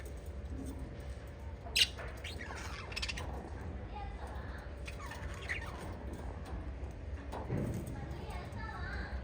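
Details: Five pet lovebirds of the parrot family give short, scratchy chirps and squawks over a steady low hum.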